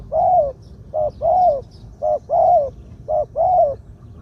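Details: Spotted dove, a ground decoy with a medium voice singing the two-'kuk' 'khu-ang' phrase: three regular couplets of a clipped coo followed by a long, slightly falling hollow coo, clean and unobstructed.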